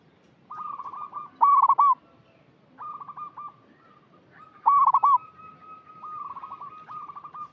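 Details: Local zebra dove repeating its lure call for untrained birds: loud, bubbling, stuttered coos at about 1.5 and 4.8 seconds, joined by a steady run of softer, evenly spaced coo notes.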